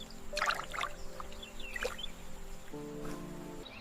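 Sustained background music with a few soft splashing, trickling sounds; no clear animal voice.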